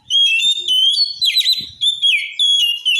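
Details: Oriental magpie-robin song intended to agitate other males: a continuous, energetic run of loud whistled phrases, rich slurred notes dropping and rising, broken by short gaps roughly every half second.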